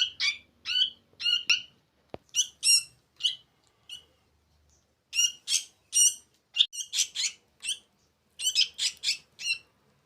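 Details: Sooty-headed bulbul chicks on their fourth day of hand-feeding, begging: bursts of harsh, high squawking chirps in quick groups, pausing briefly, then a dense run of rapid overlapping calls, with one sharp click near the start.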